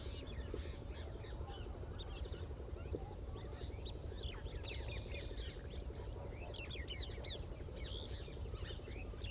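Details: A group of black-winged stilts wandering through water in Sariska give many short, sharp yelping notes overlapping in a busy flock chorus, over a steady low rumble like wind or distant traffic.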